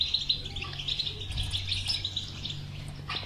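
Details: Caged European goldfinch song, used to prompt a silent goldfinch into singing: rapid tinkling twitter running without pause, bright chirps over a steady low hum.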